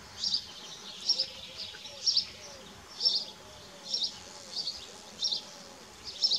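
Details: At Dohr on 4 June 2015, kestrel young feed on a mouse brought by the male: sharp high-pitched calls repeat about once a second, with faint low chirps underneath.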